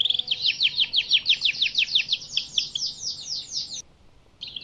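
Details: Recording for tutoring moulting and post-moult birds: a dense run of loud, high down-slurred whistled notes repeated about three times a second, a brief silence, then a fresh burst of high notes.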